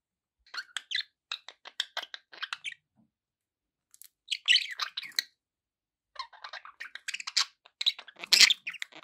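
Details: Pet budgerigars chattering in three runs of rapid clicking chirps and scratchy warbles, the final run loudest and harshest.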